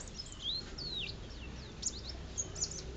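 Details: Prize-winning contest white-eye from Lerep, Karangawen, Demak: high, thin whistled slurs swooping down and up, then a few sharp chips, over a faint low hum.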